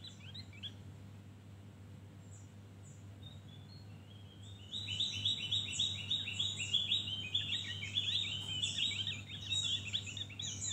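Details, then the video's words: Javan grey-throated white-eye singing the ngeriwik style: after a few quiet, scattered notes, a loud dense run of rapid high twittering chirps begins near the middle and continues, fast and tumbling, over a constant low hum. "Opior Jawa ngeriwik Full isian"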